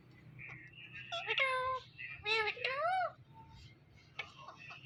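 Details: Indian ringneck parakeet mimicking speech in two drawn-out, wavering, word-like phrases, framed by softer squeaks, with a low hum in the room.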